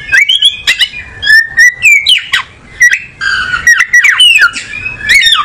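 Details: Oriental magpie-robin, songbird of tropical South and Southeast Asia, delivering a continuous varied song of sweet whistled notes, rising and falling slurs and sharp clicky bursts, close and clear with little background.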